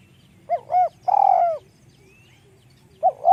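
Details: High-voiced spotted dove cooing: two rounded notes, then a long purring note that slides down. After a pause the next phrase begins. Little else is heard.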